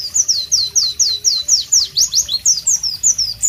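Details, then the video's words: White-eye (Pleci) in tropical ambience singing clear, sharp descending whistled notes, about three per second, spaced evenly, then more varied slurred phrases. "Masteran Pleci Bird Sounds Loud, Sharp and Melodious"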